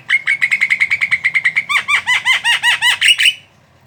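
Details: Javan myna chattering song, used to provoke other mynas into singing: a fast, even run of about thirteen clipped, bright notes, then about eight louder, harsher arched notes with a deeper tone beneath, stopping abruptly over a faint low hum.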